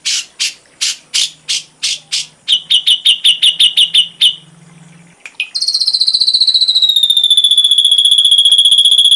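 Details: Ashy drongo tutor recording: spaced harsh chips speed into a quick, ticking, buzzy series over a faint low hum. After a short pause comes a long, fast, high trill that slides gently downward.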